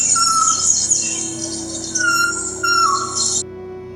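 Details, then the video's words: A Resplendent Quetzal gives three slurred, mid-pitched whistled notes about a second apart, over a steady low hum and a bright musical hiss. "esto que van a escuchar ahora es el graznido del quetzal."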